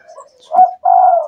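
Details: A captive spotted dove (tekukur), recorded at night, gives a short two-part coo, a clear ringing note then a longer sustained one; its owner calls this small, shrill, loud voice ideal for a lure bird.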